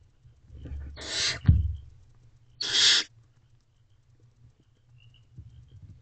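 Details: A female barn owl feeding herself and her owlets in an owl box just after midnight: two coarse hissing screeches about 1.5 seconds apart, with a thump between them, then quiet rustling.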